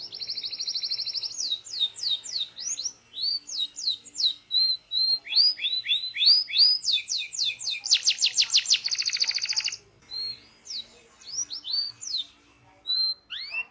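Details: Local canary in full training song, stringing together a sustained rolling trill, repeated downslurred whistles, a loud buzzy rattle and sparse high chirps near the end.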